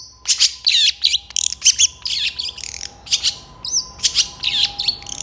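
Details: Long-tailed shrike, a master recording of rich mimicked fill song for teaching other birds: sharp, buzzy chips and squeaky warbled phrases in quick succession, over a steady faint electronic tone and low background noise.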